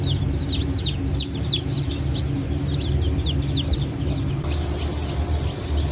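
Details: A fresh hatch of Blue Brahma chicks, with Trabzon Gugullusu chicks, on 22 June 2024. Loud arched peeps come in clusters, then thin out to fainter scattered chirps, all over a constant low droning hum.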